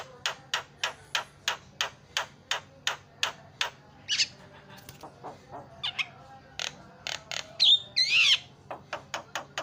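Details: Javan myna singing, used to prompt other mynas to sing: long series of sharp clicking notes about three per second, broken by rasping bursts and one loud twisting whistle near the end, over low hum.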